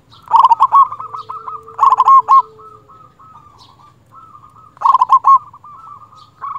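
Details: Local zebra dove singing loudly to call a rival and stir breeding urge, used as a lure or tutor bird: three bursts of rapid, resonant coos, each trailing into a softer run of rolling coo notes, over a faint low hum.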